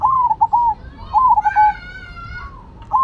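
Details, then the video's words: Zebra doves, a Cemani and a Silver bird, coo in soft, slightly wavering notes, several in quick succession, then a longer, brighter note, over quiet background noise. "Perkutut Cemani Gacor Vs Silver Gacor"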